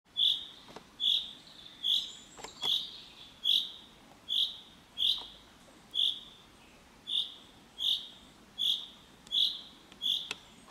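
A common chaffinch gives a sharp, high 'pink' note over and over, about thirteen times at a steady pace of just under one per second, with a few faint clicks behind.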